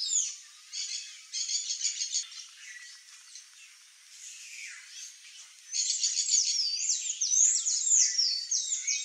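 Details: Sayaca tanager (Thraupis sayaca) singing: high, squeaky twittering phrases, a rapid burst of notes in the first two seconds, thinner quieter notes mid-way, then a longer loud run of sliding, squeaky notes near the end.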